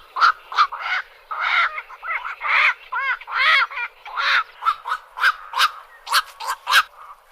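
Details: Black-crowned night heron: a dense run of harsh squawks and nasal, honking croaks, some overlapping, coming roughly once a second.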